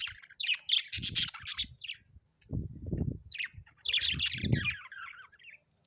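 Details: Budgerigars at home chattering in two loud bursts of high, harsh warbling and squeaky chirps, mixed with low muffled thumps and rumbling.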